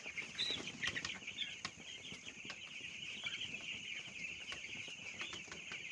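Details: Many little broiler chicks on a farm peep together, with a few louder, clearer cheeps early on rising above a constant high chorus, plus scattered tapping sounds.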